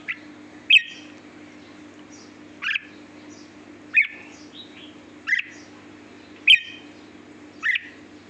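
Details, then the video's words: Red-whiskered bulbul in sweet-voiced song, giving six short, sharp, bright chirped notes spaced roughly every one to two seconds, with faint softer chirps between them and a low steady hum behind. "chào mào hót giọng hót ngọt lịm"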